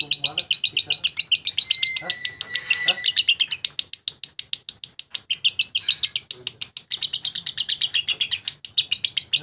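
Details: Lovebird ngekek song: sustained fast, shrill, rasping chatter, pulses repeated several per second almost without pause across the whole stretch, a thin whistled tone briefly underneath.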